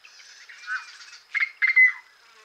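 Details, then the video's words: Yellow-headed blackbird chirps: a thin, droning buzz with rasping overtones, then two loud, scratchy, harsh bursts in quick succession before fading to a faint hum. "Yellow-Headed Blackbird Chirps"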